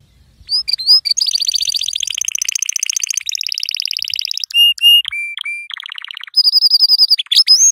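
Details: Yellow canary song meant to tutor young canaries, with fast rolling buzzy trills, sudden flat whistled notes at two pitches, and closing rapid high chirps.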